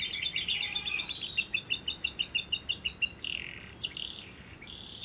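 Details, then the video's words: Lovebird long ngekek trill used as a lure to get other lovebirds singing, day or night: a bright run of rapid repeated chips, about five per second, easing into higher squeaky buzzy notes. "Pancingan Suara Burung Lovebird yang pas untuk Siang dan Malam hari, masteran labet ngekek panjang"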